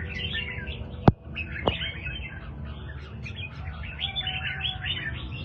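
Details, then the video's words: Red-whiskered bulbul of the Do Thái line, a kept songbird recorded one afternoon after bathing, giving rapid warbled and chattering phrases around a high band, with two sharp clicks and soft instrumental music underneath. "chào mào Do Thái"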